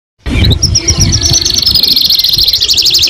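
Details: Young canary singing: fast high trills and sweeping whistles start after a brief silence, over a steady low rumbling background noise.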